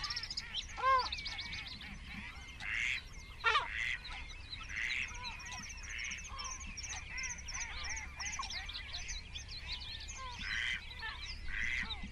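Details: Great crested grebes in a crowded nesting colony of about twenty birds, 21 June 2024; scattered loud, harsh, honking calls with gaps of several seconds between them, over a steady wash of high small-bird chirps.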